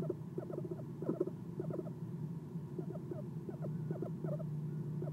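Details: Eastern screech owl visiting its nest box at night, early morning of 6 November 2016, sitting on the perch. A nest camera picks up quick bursts of soft chirps in irregular clusters above a constant low electrical hum.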